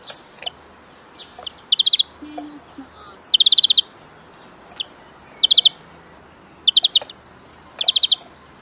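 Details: European greenfinch delivering clipped trills of rapidly repeated high metallic notes, each burst lasting under half a second and coming every one to two seconds, with odd soft chirps between.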